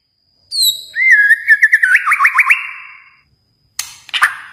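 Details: Kalimantan white-rumped shama singing: high thin whistles, then a rapid run of looping whistled notes rising and falling, followed by a short harsh chattering burst.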